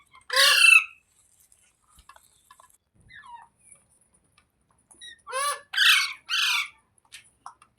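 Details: Green parrot calling: one loud harsh downward screech, a long quiet stretch with faint chirps, then three rapid rasping screeches close together.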